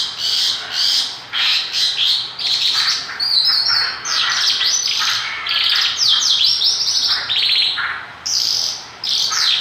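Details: Vigorous Mongolian lark song: a dense, varied stream of scratchy warbles, rapid trills, squeaky chirps and high slurred whistles, nearly unbroken throughout, with one brief pause near the end.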